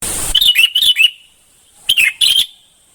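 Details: Red-whiskered bulbul of the bông type singing: two short bursts of bright warbled notes around the upper-middle pitch, separated by about a second of silence, after an opening moment of rushing noise.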